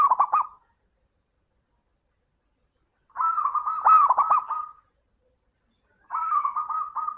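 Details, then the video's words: Zebra dove (local perkutut) lure song meant to set other doves singing: the end of one phrase, then two longer phrases about three seconds apart, each a run of quick pulsing cooing notes. "Suara burung perkutut gacor - Pancingan Super Istimewa"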